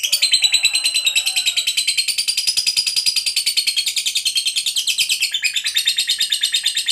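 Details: Competition lovebird in active form giving its extended ngekek trill, a relentless high chattering rattle of quick pulses over seven seconds, opening with a few lower chirps and shifting slightly in tone near the end.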